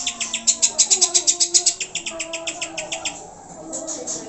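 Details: Greater green leafbird song played as a lure to stir pet birds to sing. Fast, sharp high chips run steadily for three seconds with faint lower whistles, then fade into a quieter stretch.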